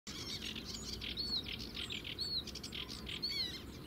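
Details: Sedge warbler singing at the Zouweboezem in the Netherlands, filmed from a distance with a compact camera: dense chattering high notes with a few clear whistled upslurs, delivered in a steady, busy stream.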